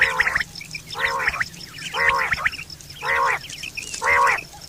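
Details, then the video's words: Quail calling, recorded September 2023, a common call used for hunting and mating: harsh, nasal, harmonic notes about half a second long, repeated roughly once a second, with faint high chirps from other birds behind. "Quail fresh sound sep 2023/ batair ki awaz"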